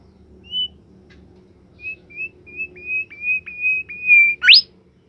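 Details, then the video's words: Caged bimoli bird giving a series of clear, short whistled notes at one steady pitch, repeated about three times a second, then a loud rising slur at the end, in a quiet room. "fuul gacor burung bimoli"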